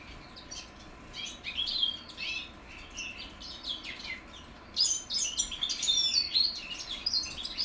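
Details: Young goldfinch mules, 2021 birds, practising their song: soft scattered twitters at first, then a louder, denser run of bright, tinkling high notes and quick trills in the second half.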